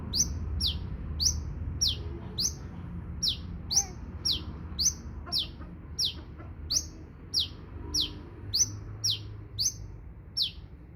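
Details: Long run of a sunbird's high, sharply falling notes, about twenty in eleven seconds at a brisk, slightly uneven pace, with soft low background sounds.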